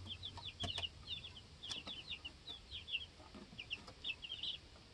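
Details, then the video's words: Homestead chicks aged two weeks, practicing flight and sorting out pecking order inside the coop, chirp in quick high peeps, often paired or in short runs, broken by a few sharp taps. "2 Week Old Baby Chicks Being Baby Chicks"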